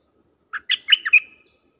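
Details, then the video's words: Decoy dok taeng bird singing to lure wild birds. After a short pause comes a brisk phrase of about five clear, warbled chirps with varied pitch, closing on a fading whistled tail. No other sounds. "เสียงนกดอกแตงEp.132นกต่อจ้าวขันเงิน เปิดดอกเรียกนกป่า เพลงเพราะน่าฟัง"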